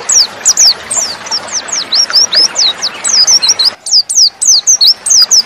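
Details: Female white-eye (pleci) used as a lure so males answer quickly, as in the wild: bright, high whistled notes in a dense, unbroken stream of down-slurs and upturned flicks, loud and close.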